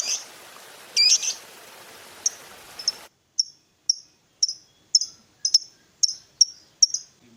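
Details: Fighter-type lovebird ngetik-style ticking, used to prompt a silent lovebird to sing: a brief rising chirp, then a run of crisp, high clicks about twice a second, first over hiss and later in near silence.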